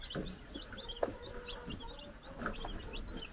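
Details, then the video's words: Several 4-day-old baby chickens on a Czech farm run around under a brood hen's watch, peeping rapidly with short, high, slurred chirps overlapping several times a second, over a low indoor rumble and a brief clatter. "Baby Chickens Running Around and Chirping"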